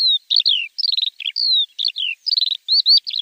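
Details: Javan bush lark song used to train untrained caged birds: short whistles, sliding buzzy trills and grating notes following each other closely, with a long down-slurred whistle midway and no other sounds.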